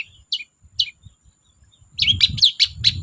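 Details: Cendet, or long-tailed shrike, in 'gacor dor' song to prompt silent shrikes: two separate sharp down-slurred chirps, then a burst of quick scratchy twittering notes against low rumbling noise and a faint high whine.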